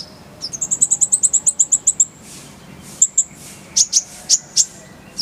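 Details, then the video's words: Kolibri ninja singing a clear full song: a fast rolling series of about fifteen high, sharp repeated notes, then a pause and scattered bright high chips and trills. "Masteran Kolibri ninja full isian, Roll tembakan Suara jernih"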